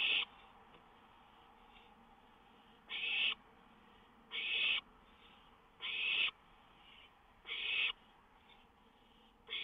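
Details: Owl on a lookout at 1:06 AM on 19 May 2013, a songbird nearby. Harsh, breathy hisses about a third of a second long, repeated irregularly every one to two seconds over a faint steady background hum.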